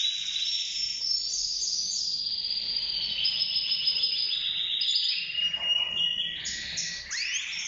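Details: Mosaic canary, yellow and orange, from a breeding pair kept indoors, the female with four eggs in the nest; a continuous high, bright song of rapid trills and warbled phrases with a brief rising sweep near the end.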